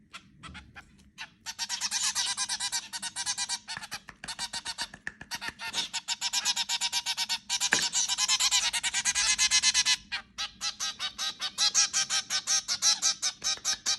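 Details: Zebra finches at home, recorded while feeding, give rapid, nasal, honking calls in a busy, overlapping chatter.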